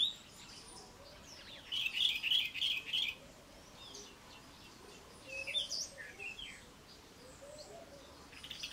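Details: Melodious song of a Cape robin-chat in a garden: rapid bursts of high, chirping and trilled notes in two clusters, with a soft, lower warbling bird call faintly repeating underneath.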